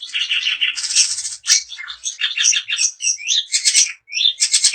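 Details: Daput-type long-tailed shrike singing to rouse other shrikes: dense, scratchy chatter mixed with squeaky whistled notes and harsh buzzy bursts, delivered in quick continuous phrases.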